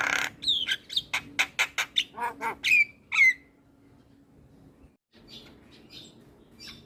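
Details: Javan myna, described as singing nonstop and prompting other birds to sing, gives a quick series of about ten sharp, evenly spaced clicking notes and two downslurred whistles, then near silence with faint distant chirps.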